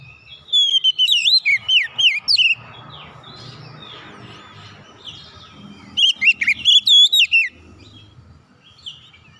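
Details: Kacer (oriental magpie-robin) singing to help a silent bird start again: two loud flurries of quick, twisting whistles with a stretch of softer chirps and hiss between them.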